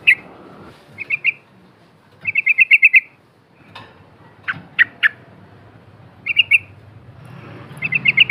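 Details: Yellow-vented bulbul lure recording in the chatty ngepak ngikluk style: short bursts of rapid, bright chattering notes repeated in quick runs, separated by pauses, with a few sharp lower-pitched chips between bursts.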